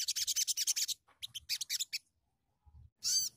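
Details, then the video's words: Sunbird (sogon) song used as a lure recording for training young songbirds: very high, rapid buzzy trills in quick pulses, then a pause and a sharp sweeping high note, with soft low thumps underneath. "PANCINGAN BUNYI SOGON BAHAN"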